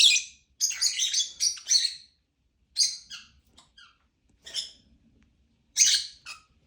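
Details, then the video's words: Lovebird giving high, squeaky chirps, a busy cluster at the start followed by scattered single chirps separated by silent gaps. "Lovebird chirping sound"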